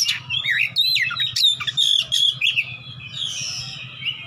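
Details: Fighting Oriental magpie-robin on the lookout for a rival, in ngeplong style: rapid, varied whistled and warbled notes for about two seconds, fading into softer sustained whistles, over a low hum.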